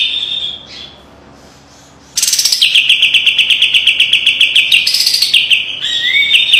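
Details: Kapas tembak white-eye's fiery master song for training birds, with close rattling: a soft whistle, a pause, then a loud high buzz that runs into a long fast trill, ending on a rising whistle.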